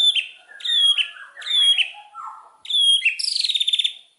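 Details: Murai batu, the Indonesian white-rumped shama, singing a lure song: three loud whistled phrases with downslurred tails, a lower slurred note, then a bright phrase ending in a quick buzzy trill.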